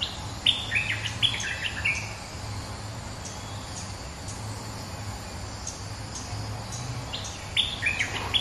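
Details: Resident bulbul calling back at a rival: two clusters of sharp, high, bubbly notes, one at the beginning and another near the end, separated by several quieter seconds of low hum.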